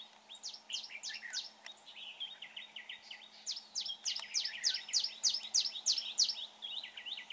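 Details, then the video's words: Red-whiskered bulbul at a trapping site, a bird noted for a good voice: quick chirping notes that turn into louder, sharply descending strokes, about three per second, over steady low hiss. "Bẫy chào mào bộ đẹp. giọng hay."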